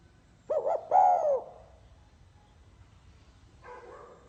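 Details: Spotted dove song, 'pha kim' style: a single phrase of two quick wavering coos and one extended falling coo, followed by a fainter coo from further away.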